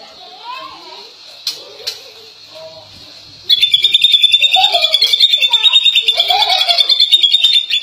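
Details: Greater green leafbird from Indonesia; a few soft low warbles and clicks, then a sudden loud stretch of fast, jangling high notes over a steady whistled tone lasting several seconds.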